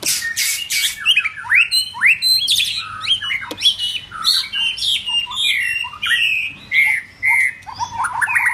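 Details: Long song of a white-rumped shama in form building: loud bursts of rapid varied phrases, harsh high notes, whistled slurs and quick rattles, separated by short pauses, a faint hum underneath.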